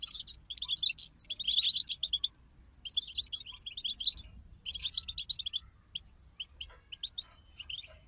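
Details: Goldfinches singing together, a recording meant to make a goldfinch sing: loud, fast bursts of silvery twittering and buzzy notes, broken by short silences, then softer scattered chirps near the end.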